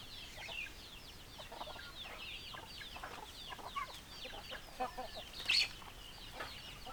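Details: A flock of chickens heard at low level: many brief high downward-slurred notes overlapping, with scattered lower clucks and one louder sharp note near the end.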